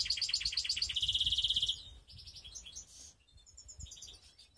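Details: Mixed canary from Skopje delivering a loud, rapid, metallic trill of repeated notes. It smooths into a steady rolling tone, then breaks into softer scattered chirps and short twittering bits.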